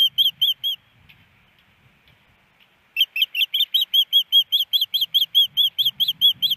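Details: Nesting female osprey, Missoula, Montana, late April 2019 after snow, waiting for her mate to deliver fish: a few shrill whistled chirps, about two seconds of silence, then a long rapid string of high piping notes.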